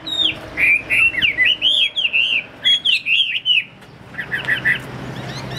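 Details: Caged Chinese hwamei offered for sale, described as a top-grade bird with a fanned tail, singing a fast run of loud, slurred whistled notes that swoop up and down, then a softer, quieter patter of short notes near the end.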